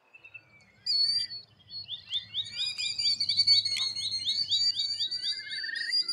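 A Killdeer gives a fast run of high, shrill 'dee' notes, about five per second, with a second, lower bird joining near the end.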